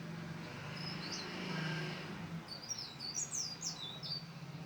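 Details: Mountain leaf warbler gives a single high note, then a fast tumbling phrase of thin, sliding chirps, all above a continuous low mechanical hum.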